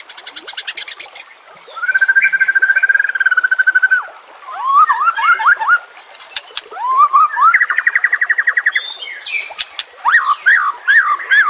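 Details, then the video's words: White-rumped shama singing to train captive birds: long steady whistled note, then quick series of rising slurred whistles, rapid repeated chattering notes and scattered sharp clicks, with water and nature sounds behind. "pancingan murai batu TERBARU FULL ISIAN KOMBINASI"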